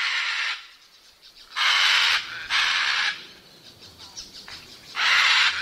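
Scarlet macaw giving four harsh, raspy screams, each about half a second long and spaced irregularly, with quiet background between them.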